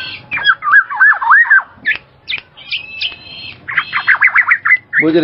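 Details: Black-naped oriole: a wavering fluted whistle, then sharp clicks and a thin high note, followed by a rapid series of harsh nasal squawks ending in a rough burst.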